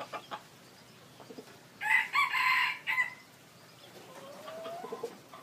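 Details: Decoy red junglefowl rooster, described as big and a good crower, gives one loud, harsh, broken crow of about a second and a half in several bursts. Soft clucks come before it and a faint rising note follows.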